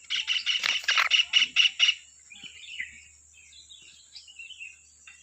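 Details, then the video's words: Stork-billed kingfisher singing continuously as a tutor recording for other birds: about two seconds of loud, grating notes in quick succession, then quieter scattered chirps and a steady faint high tone. "TENGKEK BUTO KHUSUS BUAT MASTERAN,FULL KICAU GA ADA BERHENTI NYA"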